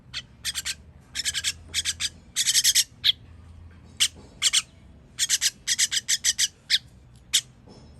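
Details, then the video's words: Nestlings fed on 21.06.23 produce loud, scratchy hissing bursts, some single, some run together into longer rasps, coming in irregular volleys across the clip over a low steady hum. "Baby bird baby bird feeding"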